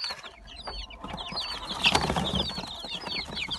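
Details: Brood of mixed Gold Brahma and Silver Wyandotte chicks, a busy chorus of thin, high downward-slurred peeps repeated rapidly over faint rustling and handling noise.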